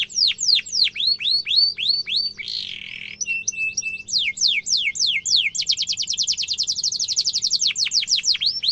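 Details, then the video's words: Canary trilling song for tutoring young canaries: series of down-slurred chirps, a brief buzzy note and flat whistles, then downward sweeps and a fast rolling trill. "Kenari gacor ngerol tajam suara kesukaan kenari muda gampang ditiru efektif untuk masteran kenari"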